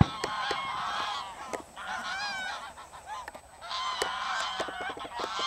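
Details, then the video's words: Wild greylag geese, a flock estimated above 500 alongside lapwings, flying from a field to ponds at the WWF Ex-risaia di Bentivoglio oasis, Italy, 21 November 2009, afternoon; loud nasal honks in bursts, some rising and falling, with quieter gaps between. "Volo di Oche selvatiche e Pavoncelle"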